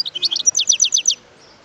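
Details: Wild European goldfinch singing: a quick burst of high twittering notes, then a run of six sharp, descending strokes in a steady rhythm, ending abruptly into quiet.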